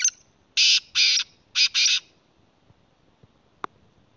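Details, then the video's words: Black francolin calling in Khyber Pakhtunkhwa, Pakistan: four loud, harsh, grating bursts in a quick broken rhythm over about one and a half seconds, then near silence with one faint click. "kala teetar k awaz||voice of kala teetar||کالا تیتر کی اواز"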